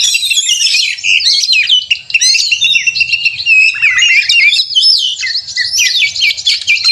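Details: Oriental magpie-robin in agitated 'konslet' fighting mode, from a contest simulation meant to provoke caged birds into singing: a dense, unbroken stream of rapid whistles, trills and sharp chirps, with a faint low rumble beneath.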